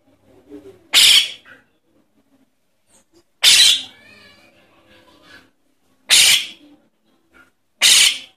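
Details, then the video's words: A Javan myna chick begging, used as a lure call to attract adult birds: harsh, hissing rasps, four loud screeches about two seconds apart, with faint soft chatter between. "Suara anak jalak kebo untuk pikat burung jalak kebo indukan"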